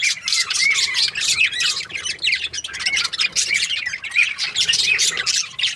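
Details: Budgerigars in breeding pairs keep up a busy, high twittering chatter of quick buzzy notes and small curved whistles, overlapping voices throughout.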